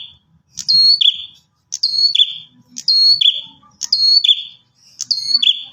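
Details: Calls of a bar-winged prinia, meant to draw other prinias to reply: five high, clipped phrases that drop slightly in pitch, repeated roughly every second over a faint low murmur.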